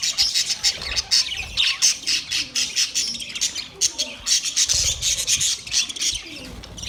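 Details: Budgies chirping in steady pulses of harsh, squeaky chatter, short rapid notes repeated about twice a second, with a raspy grating texture throughout.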